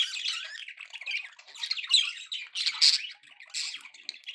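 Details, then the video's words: Pet budgerigars in happy mood chattering indoors: dense, scratchy warbles and squawky chirps running together with short gaps, busy high-pitched chatter throughout. "happy budgie sounds"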